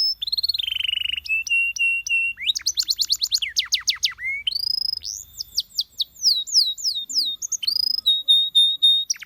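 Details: Varied canary song for coaching other canaries to sing: a buzzy, wavering tone, clipped repeated notes, fast rattling trills, then a series of downward-swept whistles and a final held note, all loud and clean.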